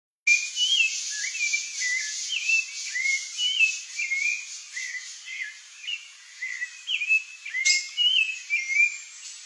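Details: Rufous-bellied thrush singing a steady series of short, clear whistled phrases that rise and fall, about two each second, over a constant high, hissing insect-like background drone.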